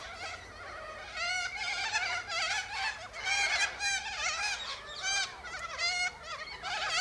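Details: A gathering of Sulphur-crested cockatoos feeding on seeds from pods high in a silky oak tree, giving a dense run of raucous, grating screeches that overlap one another in bursts with hardly a pause.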